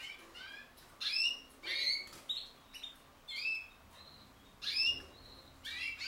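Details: Common linnet and canary hybrid singing: bright chirping phrases with rising and falling twittered notes, delivered in separate bursts about a second apart with short pauses between, over a quiet background.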